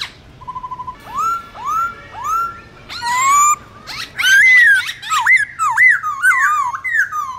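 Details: Black-throated laughingthrush singing its wild-type forest song, used to tutor young birds: a short bubbling trill, then upswept whistles and loud, rich, rolling warbled phrases that grow more varied and continuous.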